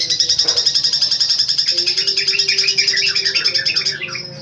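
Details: Long-tailed shrike (cendet) singing a long run of very rapid, evenly pulsed high chattering notes that grow into mixed warbled phrases before a brief pause and a final high note.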